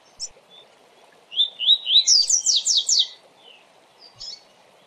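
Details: Fast 'tui tui' song of a double-collared seedeater, a training song: three quick upslurred whistles leading into a burst of rapid, sharply descending notes, with a faint chip before and after and a low background hum.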